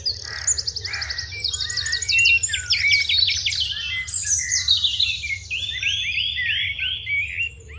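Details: Sparrows chirping in the morning: a busy flock of overlapping bright, quick chirps and rapid trilled runs, some notes rising and falling, with no quiet gaps between callers.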